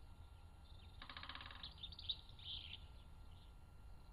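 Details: Spring woodland drumming by a male great spotted woodpecker, a quick burst of rapid even taps for about half a second, followed by bright chirping from other birds in the wood during fine weather.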